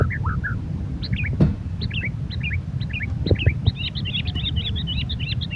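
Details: White-rumped shama singing clear, sweet whistled phrases that dip and rise, spaced about every half second, then quickening into a rapid run of repeated notes, over strong low rumbling background noise.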